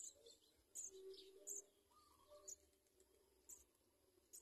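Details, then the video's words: Nestling house sparrows begging for food, giving brief high-pitched squeaky chirps at irregular intervals, roughly every half second to a second, with faint lower chirps between them. "House-sparrow birds watch baby cry baby food"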